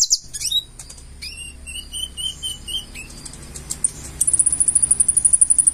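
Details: Purple-throated sunbird (konin) singing in gacor full isian style: scattered thin high notes and short whistles, then a fast run of evenly repeated high ticking notes in the last second and a half.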